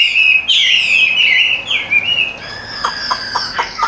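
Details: Chinese hwamei, a tame cage bird held by hand, gives sweet, sustained wavering whistles, then a series of sharp quick clicks and chips.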